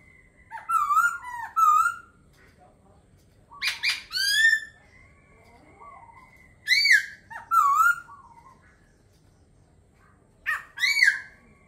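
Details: Laughingthrush singing in loud bursts of rich whistled phrases, each a steep downslurred or looping note around two to four seconds apart, with a steady faint high tone and quiet pauses between.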